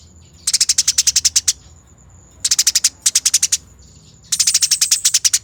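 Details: Master recording for training birds of a fighting Eurasian tree sparrow: three to four bursts of rapid grating ticks, each around a second long, broken by quiet spells and a thin constant high tone.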